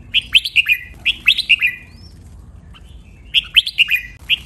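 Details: Red-whiskered bulbul training song in the doubled 'beun' style, counted at 23 phrases and described as a sweet, sharp singing style. Two quick bubbly whistled phrases follow each other, then a pause and a third phrase.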